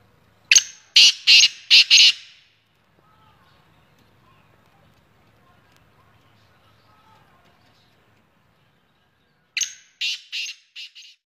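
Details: Black francolin (kala teetar) calling: two bursts of four to five harsh, grating, broadband notes in rapid series, one near the start and one near the end, separated by a long quiet stretch with faint low murmuring.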